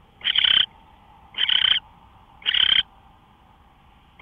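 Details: Owl heard on a live camera feed early on the morning of March 24, 2013. Three rough, hissing screeches about a second apart are followed by the onset of a fourth, with a low steady hum underneath.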